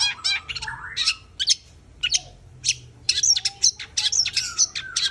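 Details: Long-tailed shrike singing energetically, mixing a low warbled opening with dense high chirps, harsh scratchy notes and rapid clicking bursts that grow busier toward the end.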